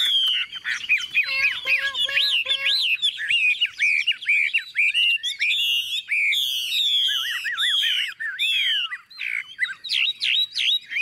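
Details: Chinese Hwamei, a tame caged bird with yellow legs and bill, recently arrived, singing while heavy rain begins: an elaborate, continuous stream of varied looping whistles, with brief lower repeated tones early on.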